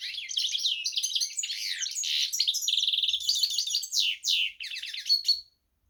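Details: Hybrid goldfinch crossed with canary delivering a continuous bright warble: rapid rising and falling whistled notes, a steady buzzy trill near the middle, then sweeping slurs ending in a thin held note.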